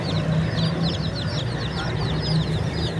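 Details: Chicks cheeping in clear, piercing, downward-gliding notes, closely spaced and overlapping from several birds, with a pronounced low droning hum underneath.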